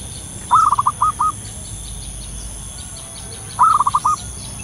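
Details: Local wild zebra dove calling in natural surroundings: two phrases, each opening with a longer coo and trailing into a series of short, evenly spaced rolling notes. Soft high chirps of other birds sound in the background.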